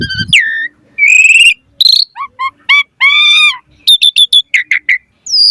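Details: Lure song of an Asian pied starling in 'mompa' style: buzzy harmonic notes, short downslurred whistles, a fast stutter of high chips and a final high whistle, separated by short silences.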